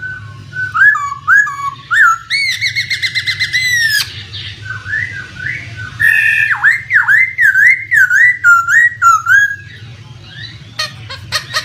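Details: Laughingthrush (poksay) lure recording meant to make a bird that has stopped singing respond. Loud whistled phrases alternate with fast buzzy rattles, then a series of swooping up-and-down whistles about twice a second, with clicks near the end and a soft low background.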